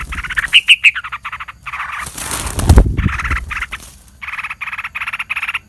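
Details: Parent yellow-vented bulbul defending its chick from a snake attack, giving harsh, scolding chatters in rapid bursts, broken by loud rustling, then resuming insistently.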